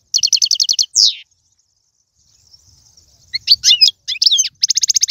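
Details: European goldfinch song for stimulating a pet goldfinch: a crisp rattled trill and a downslurred note, a long silence, then scattered sharp chirps and a closing rapid trill.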